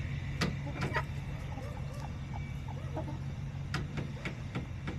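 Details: Backyard chickens filmed on October 5, 2024: soft, short clucks dotted through the recording, with several sharp clicking taps and a constant low hum underneath.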